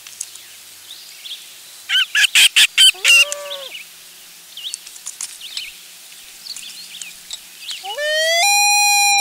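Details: Loon parents and chick spending a last day at the nest; a burst of harsh rapid notes comes first, then a short falling wail, then a strong rising wail building toward the end, with light birdsong in between.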